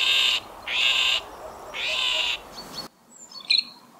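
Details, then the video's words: Great grey shrike (Lanius excubitor), from a recording of male song and alarm calls: three harsh, rasping bursts, each about half a second long, followed by a few faint, high chirps. "Сорокопут Серый"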